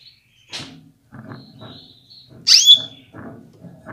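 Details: Female canary calling to stimulate males: one loud, high chirp sliding down to a brief steady whistle, preceded by a fainter note, against soft knocking and rustling.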